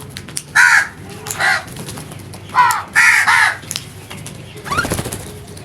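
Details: Crow making loud natural calls: harsh caws in short bursts, a pair early and a tighter cluster near three seconds, followed by a softer rustling sound.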